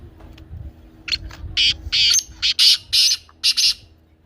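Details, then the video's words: A black francolin gives a rasping call of about eight scratchy, clipped notes, spaced unevenly and growing stronger toward the middle, over a low background hum. "کالا تیتر کی بولتی آواز سن کر تیتر مست ہو جائے"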